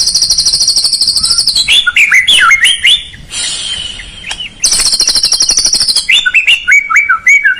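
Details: Caged white-rumped shama (murai) singing a loud varied song to provoke a lazy bird into singing: rapid high trills, then a sequence of whistled swooping and rising notes, a buzzy pause, and repeated trilling phrases again.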